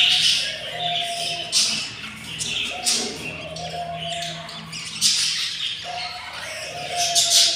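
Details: Yellow budgerigar nest on day 7 with four newly hatched, very hungry chicks. Rasping, scratchy squeals pulse in bursts roughly every second, over a faint continuous tone.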